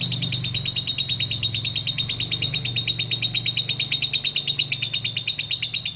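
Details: Lovebird ngekek used as a lure for other lovebirds: a sustained, rapid, high trilling chatter, evenly pulsed throughout, above a low humming background.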